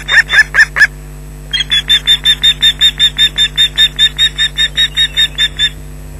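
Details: Osprey at its nest at Loch Garten, 19 June 2012 around 13:07, shrieking and mantling as an intruder comes close; a few loud shrill notes, a pause, then a fast steady series of sharp, high repeated shrieks, with a low steady hum beneath.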